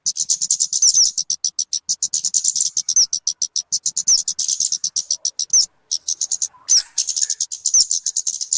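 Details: Talokan, or kemade, whose call is used for luring birds and as a master song for caged birds. Rapid, high, buzzy chirping continues throughout, with thin rising squeaks scattered among the notes and a short break near the middle.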